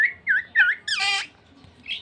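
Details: Talking common hill myna attempting to speak with a man. It gives two looping whistled notes, then a harsh, rich squawk that falls away, followed by a faint high note at the end.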